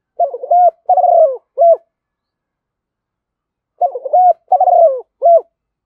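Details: Spotted dove kept as a decoy to call in wild doves, giving its calling and urging coos: a mellow three-part phrase of a short hooted note, a longer quavering coo and a clipped final note, given twice with a long pause between.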